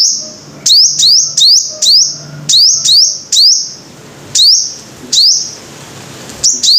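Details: Five-coloured sunbird: thin, very high notes, each a fast rising sweep into a steady shrill tone, repeated in quick bursts about every half second to second with short gaps; faint low hum beneath.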